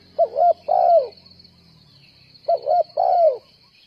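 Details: Two cooing phrases from a spotted dove used as a trapping decoy, each a brief doubled note then a sustained downward coo, separated by a pause, with a high hiss throughout.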